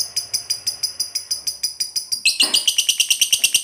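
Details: Long ngekek chatter of a lively fighter lovebird, which spurs silent lovebirds to answer: a steady, fast run of bright ticking notes, about five a second, then a louder, harsher, denser chatter joins partway through.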